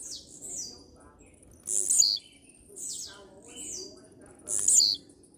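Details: Blue-black grassquit (tiziu) in steady song: high falling slurs alternating with two loud, sharp buzzy bursts, against a quiet background.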